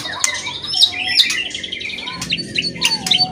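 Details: White-rumped shama in loud song with crackling notes, used to provoke silent shamas into singing: high, busy warbles and sharp ticks over a steady low hum, somewhat softer than a close recording.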